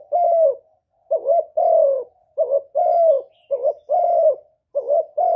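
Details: Spotted dove used as a decoy, cooing against a wild bird; mellow low coos alternate short wavering notes with longer sustained ones in an uneven steady rhythm, nothing else audible.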